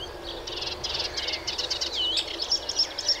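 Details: Melodious warbler song: rapid scratchy notes and short rattling bursts, then a clear downslurred whistle and a few thin high repeated notes, delivered quickly in a rambling phrase.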